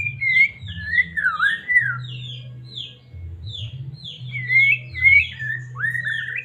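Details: Medan white-rumped shama singing as a lure for caged shamas: bright, looping whistles rise and fall continuously, mixed with quick downslurred notes repeated about twice a second, over a constant low hum.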